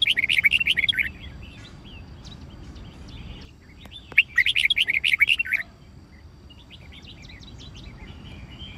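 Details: A trained red-whiskered bulbul gives a fighting song of rapid, chattering whistled bursts, a pause, then another loud fast run; softer scratchy notes follow at the end.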